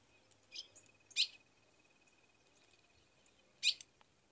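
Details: Female ultramarine grosbeak in the caatinga of Rio Grande do Norte calling for a male to mate: three sharp, isolated chips spaced over a few seconds above a faint steady whine.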